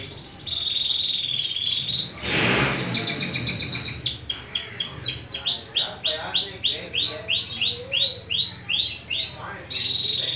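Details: {'caption': 'Domestic Persian canary: a steady held trill, a brief loud broadband burst, then long tours of repeated high notes sweeping down, delivered rhythmically about three per second.'}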